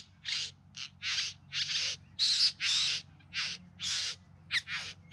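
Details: Bowerbirds displaying in the Yarra Valley outside Melbourne, September 2020: a string of loud, buzzy, scraping bursts around two per second, a few carrying brief squeaky whistled notes, over faint low rumble.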